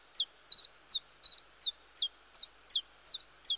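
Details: Common chiffchaff song in the woods, with about ten bright, high chip-like notes that each slide downward. They are evenly repeated at a brisk pace of nearly three per second, with a faint steady hiss behind.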